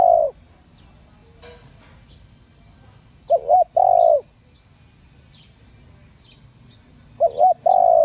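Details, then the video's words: Female spotted dove calling to stimulate male doves: low mellow cooing phrases, each a quick wavering double note followed by a longer drawn-out coo, two phrases about four seconds apart, with faint high chirps from other birds behind. "cu gáy CU MÁI.MÁI KÍCH TRỐNG.Tiếng cu gáy mái kích mồi tập bổi,kích bổi ức chế gáy"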